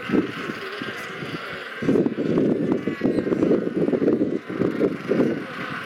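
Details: Sub-Antarctic Macquarie Island, with a crowd of Royal penguins. A quiet opening gives way to a burst of coarse, pulsing brays that continue in rhythmic surges, many voices overlapping.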